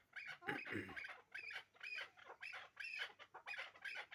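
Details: Hybrid chukar partridge, a bird from last year's brood, delivering grating chuk notes in pulsed bursts about twice a second.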